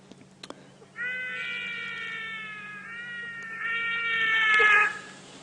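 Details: A Trumpeter hornbill gives a drawn-out, nasal, baby-like wail with rich harmonics, lasting about four seconds and strengthening near the end; this is a recording played aloud on a misty dawn safari drive in the African lowveld.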